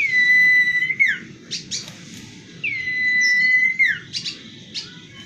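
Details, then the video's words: Common iora giving two long, level whistles, each sliding down sharply at the end, separated by short high chirps and twitters; a soft low rumble runs underneath. "suara gagah burung cipow yang indah"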